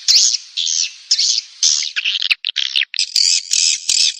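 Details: Swiftlet lure sounds used by Indonesian swiftlet farmers to attract birds to roost: loud, harsh, buzzy high chirps in bursts of about half a second, with short gaps between them.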